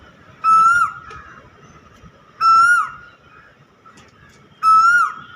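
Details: Cuckoo calling: three loud whistled notes, each rising then dropping sharply at the end, repeated roughly every two seconds over a quiet background.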